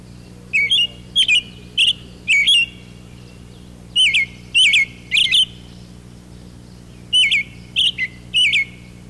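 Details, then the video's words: An American robin perched high in an oak tree in spring sings short, wavering whistled "cheerily, cheer up" phrases in groups of three or four, each group followed by a pause, over a faint low hum. "The robin sings in wavering whistles"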